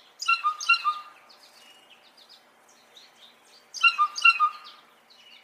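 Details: In Brooklyn's tree-covered Prospect Park, New York City, a Blue Jay gives two quick bursts of three or four ringing, bell-like notes about three seconds apart, with soft chirps and twitters in between.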